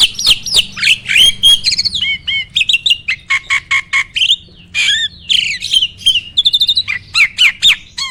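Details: Starling (jalak) singing, played as a training recording to provoke other starlings into song: varied, rapid mix of harsh chattering bursts, clicks and whistled slurs, delivered in quick continuous phrases over a low background hum.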